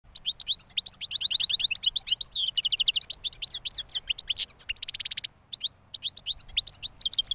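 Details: Young European goldfinch from last year, freshly out of moult: fast, tinkling song of high twittering notes, buzzy trills and rapid liquid phrases, with a brief pause near the end.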